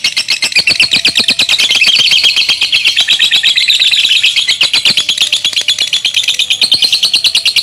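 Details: Male lovebird delivering a long ngekek trill, a loud, continuous rapid chatter of harsh high notes repeated about three times per second, sustained throughout without a break.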